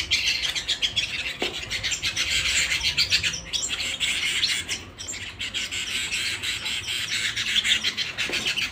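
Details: Loud canary song at home: dense, rapid, high trilling and chirping that runs almost without a break, with one short lull near the middle.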